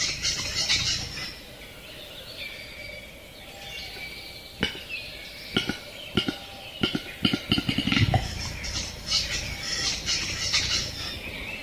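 Western capercaillie giving sharp, dry clicks, spaced at first and then quickening into a rapid rattling run, over steady chirping of other birds.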